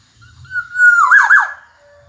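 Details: Kepodang emas (black-naped oriole), recorded as a master track for training other birds: a single clear, level whistle swelling into a liquid, looping flourish that falls off at the end. A faint low rumble sits underneath.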